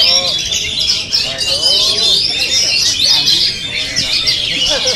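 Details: Captive oriental magpie-robins in a contest simulation for mental training: a busy chorus of sharp, high twittering and whistled notes from several birds overlapping, with faint lower sliding whistles beneath.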